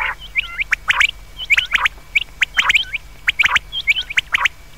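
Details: Common quail calls meant for night: bright, clipped notes tumble in rapid pairs and triplets, repeated through the recording. Phrases overlap unevenly, with a low steady hum and a faint continuous whine underneath.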